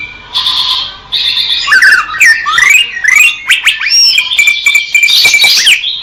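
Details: Greater green leafbird song opening with a sustained buzzy trill, then a tumbling mix of rising and falling whistles and sharp upsweeps, loud and continuous.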